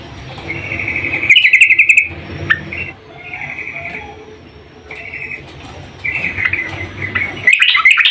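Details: Yellow-vented bulbul female calling to a male, with a fast rattling trill, several short buzzy phrases separated by pauses, and a sudden loud burst of chatter at the end.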